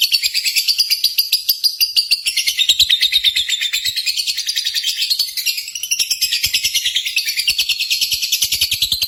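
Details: Contest-style lovebird song meant to provoke pet lovebirds: nonstop, rapid, high-pitched chattering trill, several notes a second, with shifting buzzy overtones.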